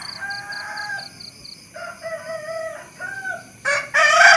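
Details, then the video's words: Rooster giving a drawn-out, tonal crow in several sustained segments, with a steady electronic-sounding beeping series above it and a loud harsh burst at the end. "the sound of a rooster"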